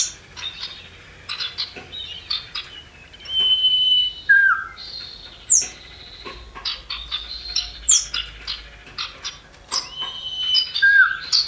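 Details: Lure recording of male and female common iora, the female said to call the male: bursts of dry chattering chips alternating with pure whistled notes and short downslurred whistles, several high thin upsweeps, sustained activity throughout.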